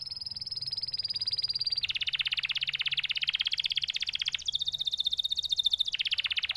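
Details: Canary song made of continuous rapid trills that shift between higher and lower pitch sections every few seconds, each trill a dense run of quick repeated notes, with a faint low hum underneath.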